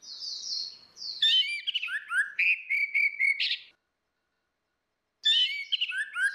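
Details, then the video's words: Orange-headed thrush song, female against male in ngeplong style, a lure for a silent bird: a long descending high whistle leading into rapid varied warbled notes, a pause, then another quick phrase. "SUARA ANIS MERAH BETINA VS ANIS MERAH JANTAN NGEPLONG || PANCINGAN ANIS MERAH MACET"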